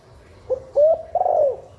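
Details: Female spotted dove calling to stimulate breeding and egg laying: one short coo, then a drawn-out low coo running into a rolling, slightly falling final note.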